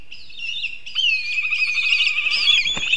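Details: Black kite calling in Kurzeme: a high, quavering whinny with rapid tremolo, rising in strength through three seconds, rich in overtones, with a sharp click near the end and faint rural background.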